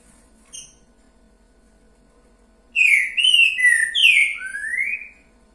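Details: After a brief faint chip, a green-winged saltator sings a full boiadeiro phrase of four rich whistles, level, falling, then a final rising slur, clear against a quiet background.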